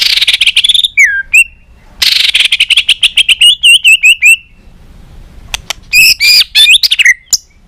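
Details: White-rumped shama singing to provoke rival shamas: rapid buzzy chattering notes, a dropping whistle, a quick series of repeated wavy chirps, then a pause and more loud varied phrases.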